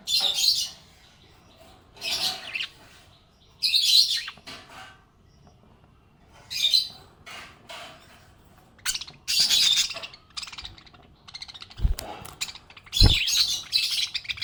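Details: Happy pet budgie chirping: bursts of high, scratchy, buzzy chirps every one to two seconds, some short sharp squawks and a couple of low thumps in between.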